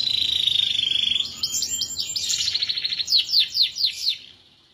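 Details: Canary delivering extended song for tutoring other birds: a fast, dense high trill shifts into a varied rolling passage and ends with loud, evenly spaced down-slurred notes, about four per second.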